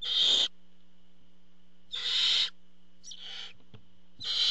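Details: Nest recording of barn owls as the male parent delivers food: four rough hissing screeches at irregular intervals, the third softer and shorter, set against an unchanging electrical hum.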